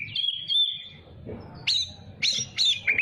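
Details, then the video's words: Oriental magpie-robin song, used to teach young birds to sing and to rile rivals; a long steady whistle opens, followed by several sharp upward-sweeping notes and a final downslur, with soft low rumble behind. "Masteran Kacer Muda Biar Cepat Gacor || Kacer Gacor Bikin Emosi Lawan"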